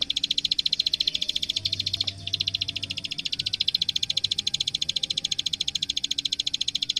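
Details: Plain prinia, locally prenjak sawah, in a master recording used to train songbirds: an unbroken run of rapid, dry, high-pitched clicks repeated at an even pace of about three to four per second throughout.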